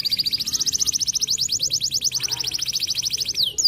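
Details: White canary singing a long rapid trill of repeated high notes, steady and buzzy, ending with a sharp downward sweep.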